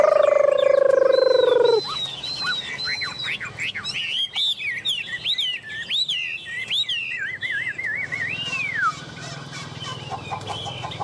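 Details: A loud, low, steady tone comes first, then a tame caged Chinese hwamei breaks into arching whistled phrases and a quick wavering trill that ends in a falling slur.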